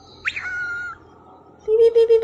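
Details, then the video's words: Happy pet cockatiel whistling: a quick rising sweep into a steady mid-pitched held note, a pause, then a lower, louder sustained whistle with slight wavering pulses. "happy coctail singing/whistling peekaboo and whistling"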